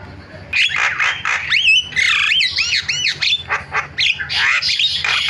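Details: Starling calls used as a lure to make other starlings sing: continuous loud harsh squawks mixed with looping whistled slurs that rise and fall, dense and overlapping throughout.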